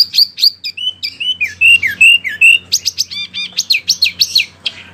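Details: Wambi song chosen for training oriental magpie-robins and other birds: clear high chirps and downslurred whistles, then a fast run of repeated arching notes, over two per second, with a faint low hum.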